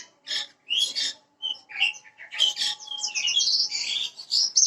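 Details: Parva bushlark, recorded as a lure to prompt another bird to sing quickly: scattered high chips and whistles build into a continuous, varied warbling run with quick trills and rising notes.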